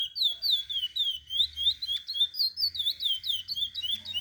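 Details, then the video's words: Tutor song of a chestnut-bellied seed finch for young birds, a steady stream of pure, high whistles with swooping downslurs and upslurs, roughly four notes a second, sweet and fluid throughout. "Curió para ensinar filhotes."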